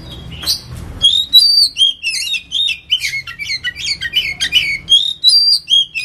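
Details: Ngetem song of the oriental magpie-robin (kacer), played as a lure: after a brief low rumble, a continuous stream of sharp whistled notes, chirps and buzzy trills rises and falls over several seconds.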